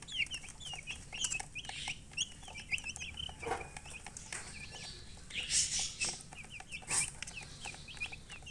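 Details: Young chicks of the hen giving continuous high, thin peeps in quick overlapping bursts, with a few brief louder hissing or rustling noises in the middle and near the end.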